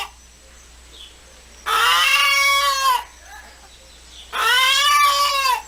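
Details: A chicken moaning: two long, drawn-out, nasal wails, each about a second and a half, rising slightly and then sagging, separated by a quiet pause over faint steady background hiss.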